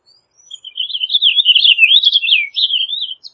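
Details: Purple Finch delivers a long, flowing warble of rolling, slurred whistled notes, rising and dipping for nearly three seconds, clear and uninterrupted.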